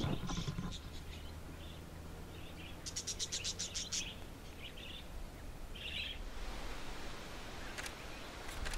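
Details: Wild budgerigars in the Australian outback, nesting in tree hollows during breeding and courtship: scattered bright chirps and short warbling bursts over steady wind-like hiss, with a low rumble early on.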